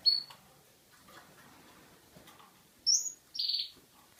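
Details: Yellow male Russian canary, kept as a cage bird and described as ready for breeding: a short high whistled note at the start, then after a quiet gap two brief, loud, high chirps near the end.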